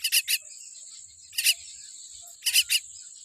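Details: Baby common myna with a weak beak calls in coarse raspy bursts, a triplet, a single, then another triplet, against a constant thin whine.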